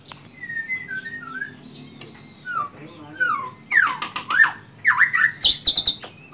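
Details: Home-kept white-rumped shama in Indonesia starts with soft, thin whistled slurs, then breaks into loud rapid sweeping whistles and sharp clicking notes in quick bursts, with faint background hum.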